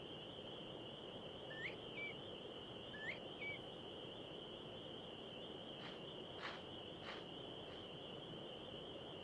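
Northern Bobwhite gives two sharply rising whistles about a second and a half apart, calling the scattered covey back together, over a steady high insect trill and a few clicks.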